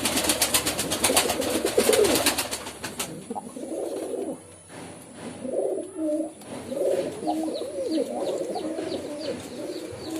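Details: Rapid, rattling clatter for the first three seconds, then low, soft pigeon cooing in several rolling phrases.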